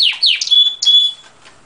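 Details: Canary singing: a few quick downslurred notes followed by two sustained thin high whistles, ending abruptly.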